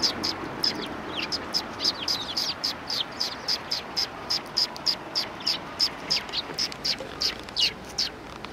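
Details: Group of sparrows at a Tenmangu shrine's front approach, recorded 12 December 2019, giving bright high chirps about three times a second in a steady, lively chatter throughout, with a faint low hum beneath.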